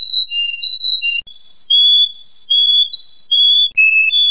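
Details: Canary song of clean whistles alternating between two pitches, with short repeated phrases rising and falling in a steady rhythm and a brief lower note near the end, nothing else audible.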